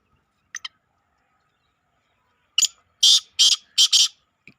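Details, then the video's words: Black francolin calling, recorded 21 April 2023: two brief faint notes, a pause, then four loud, harsh, rasping bursts in quick succession, followed by a short faint note in otherwise quiet surroundings. "kale teetar ki awaj !! kaa laa tee tar"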